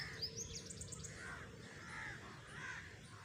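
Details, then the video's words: Harsh crow caws, three drawn-out arched calls spaced well apart, after a quick burst of high twittering from smaller birds at the start; low rumble underneath. "crows || crowing sound"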